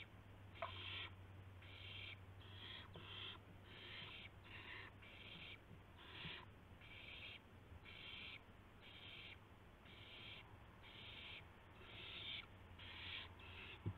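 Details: Owls at a nest before dawn, 5:50 AM on March 26, 2016, as prey arrives: a gopher, then a mouse. Raspy hissing bursts repeat roughly once a second over a steady low hum.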